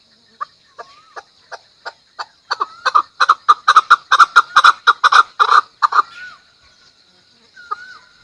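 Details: Chukar, called chakor, national bird of Pakistan: a series of clucking chuk notes that speed up and grow louder into a dense rhythmic chatter around the third to sixth second, then fade to a few spaced notes and a short whistled slur.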